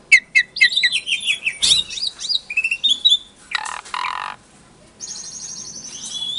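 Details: Lure song of a captive-bred Asian pied starling in Klaten, Indonesia, aimed at silent starlings: quick chattering notes and slurred whistles, harsh rasping bursts mid-phrase, then a long buzzy trill over faint background hiss.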